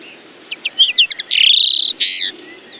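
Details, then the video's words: A common linnet sings loud and close: quick staccato chirps build into a fast rattling trill, then a long smooth rising whistle and a final harsh buzzy note. "The song of the Common Linnet"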